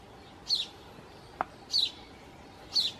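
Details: Four Song Thrush nestlings in a nest, fed by both parents during extremely hot, dry weather: thin, high, slightly falling squeaks, three in about three seconds, roughly one a second, with a single soft click between them.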